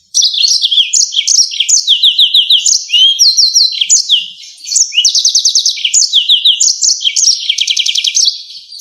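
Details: Yellow-fronted canary singing in sharp 'ngerol nembak' style as tutor material for songbirds: continuous high, bright song of fast rattling trills, whistled slurs and clipped chirps, with only brief pauses.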